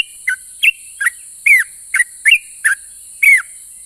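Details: Sooty-headed bulbul, singing in a manner said to provoke replies from other bulbuls: eight varied whistled notes, a few longer and swooping downward, unevenly spaced over four seconds above a constant high hiss.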